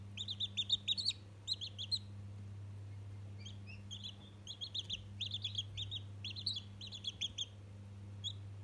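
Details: Chatty chicken chick, one day old, calling to a toy: loud bursts of sharp high peeps in quick runs, a brief quieter gap, then another long run of cheeps, with low mains hum throughout.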